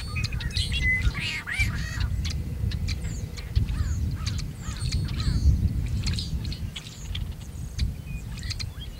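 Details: Near Kern National Wildlife Refuge, California, 26 February 2003, a male tricolored blackbird sings and calls. It opens with a loud grating, buzzy phrase, then dense clicking chatter from many birds continues over a deep rumbling background.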